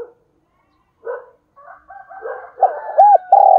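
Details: Decoy spotted dove calling: soft scattered notes and murmurs build into arched, rounded coos and a loud sustained coo at the end, with a faint clicking sound.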